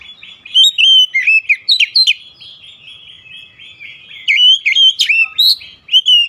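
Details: Rapid varied whistles and chirps from an oriental magpie-robin, song intended to rouse the bird, continuous phrases with sharp upslurred notes.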